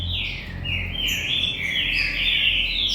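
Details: Green-winged saltators kept at a commercial breeding farm, described as galador singers: a continuous run of rich whistled notes, sliding and warbling between middle and high pitch without pause, over a faint low hum.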